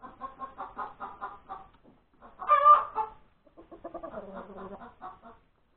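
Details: Egg-laying hen on Sunday, January 31, 2021, at breakfast time. A series of short clucks climbs to one loud, drawn-out squawk, then lower, uneven clucking continues.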